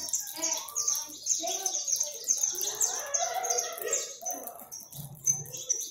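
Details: Over 100 free saffron finches fed in a backyard keep up a high, quick chirping chorus, while lower warbling notes and a brief low rumble sound beneath them.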